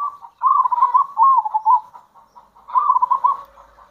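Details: Zebra dove of a local strain, calling to attract other zebra doves with kerot and bekur sounds: burbling, wavering coos in two main phrases, with quieter trailing notes between them.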